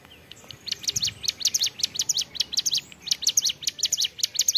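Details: Ciblek gunung prinia singing gacor ceplekan: a sustained, lively sequence of high, sharp, repeated chips, delivered quickly in clustered groups throughout.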